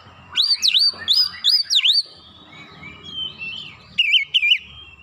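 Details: Oriental magpie-robin singing as a provoking lure: a series of loud swooping whistles, a quieter warbled stretch, then two sharp whistled notes, over a low background hum.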